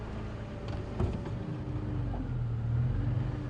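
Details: A vehicle engine hums and revs at low pitch throughout a safari drive, with no animal voice audible.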